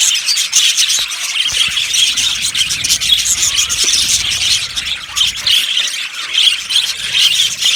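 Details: An aviary colony of yellow budgerigars fills the air with overlapping shrill chirps, squeaks and rasping warbles, an unbroken bustling flock noise.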